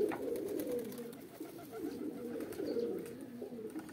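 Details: Pigeon mating call from pet roller and homing birds: low, gurgling coos with short downward-sliding phrases repeated in quick succession, a few faint clicks alongside.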